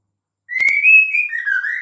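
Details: Female white-rumped shama call, used to lure males into singing: a sustained whistled note that wavers slightly, dips, then rises at the end, preceded by two brief clicks.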